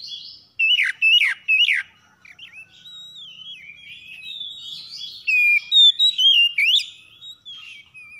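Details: Rough morning lure song of oriental magpie-robins answering one another: three sharp, loud downward notes open, followed by wavering whistled phrases and a second burst of loud notes.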